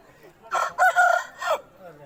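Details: A single crow from an Aseel rooster, a short hoarse call broken into three quick segments, with the middle one held steady, over a quiet background.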